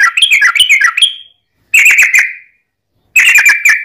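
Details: Yellow-vented bulbul giving a long fighting song, used as a lure to provoke other bulbuls into singing; three loud bursts of bubbly, chattering whistled notes, each ending in a drawn-out whistle, separated by short silences.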